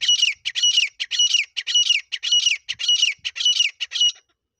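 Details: Desi teetar (partridge) lure call for hunting in Sindh, Pakistan: loud, rasping, high double-note phrases repeating steadily, roughly two per second, stopping just before the end, with faint low thumps.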